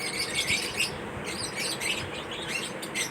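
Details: Lovebirds during a mating ritual, giving shrill, squealing chirps and squawks in quick, uneven bursts, with several high notes overlapping, against a steady low background hiss.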